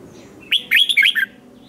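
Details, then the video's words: Red-whiskered bulbul singing in competition style: one brief phrase of bright, bouncing whistled notes, dipping and rising, followed by a faint thin note. "Kích chào mào hót đấu hay nhất"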